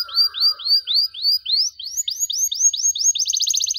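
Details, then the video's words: Cengkok mewah canary song with long dor phrasing for young canaries to learn: arched whistled notes repeated about three times per second, speeding into a tight rapid trill, with a faint lower tone at the start. "KENARI GACOR DORR NEMBAK PANJANG, CENGKOK MEWAH COCOK BUAT KENARI MUDA BELAJAR BUNYI"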